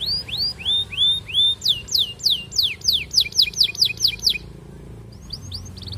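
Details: Canary singing to court a female, a lure to make other canaries roll: arching whistled notes, then a quick run of steep sweeping notes, then short rising whistles after a hush.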